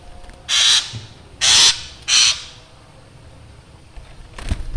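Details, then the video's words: Black drongo calling, its sound called frightening; three loud rasping calls in quick succession, then quiet background. "srigunting hitam gacor suara menyeramkan"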